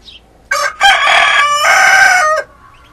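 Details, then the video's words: Two roosters are named as crowing, one red; one loud, hoarse crow lasting about two seconds is heard, a brief rising note followed by a long sustained strained tone that drops off at the end. "dos gallos cantando"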